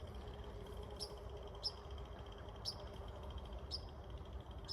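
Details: At dusk in a cemetery hedgerow with black locust, a Northern Cardinal atop a tree gives four sharp, high metallic chips at uneven intervals about a second apart, over a steady low rumble and faint high hum.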